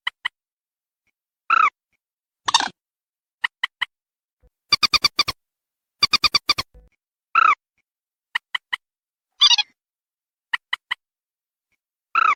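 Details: Lure call of a white-breasted waterhen: harsh nasal squawks alternating with quick triplets of short clipped notes and two fast runs of ringing repeated notes, spaced by silent gaps.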